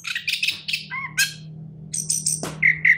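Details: Short stretch of orange-headed thrush song from a champion bird: choppy chattering notes and a few lower whistled slurs, then clear repeated whistles near the end, over a steady low hum.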